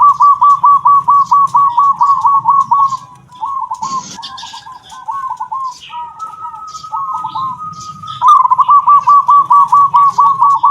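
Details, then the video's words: Local zebra dove with the sought-after 'kung' voice, suited as a master recording for training: rapid series of bubbling coos, then a sparse, slower middle section with a long steady tone, ending in another fast cooing run. "perkutut lokal suara kung"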